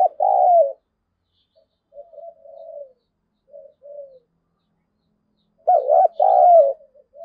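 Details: Spotted dove lure bird meant to provoke wild birds into fighting: a loud coo opens, softer trailing coos follow, then a strong double-note coo returns after a pause.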